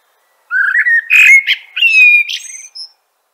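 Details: Common blackbird (Turdus merula) song phrase lasting about two and a half seconds: a low, rising mellow warble leading into a longer clear whistled stretch, ending in a high, scratchy twitter with a faint thin note at the close.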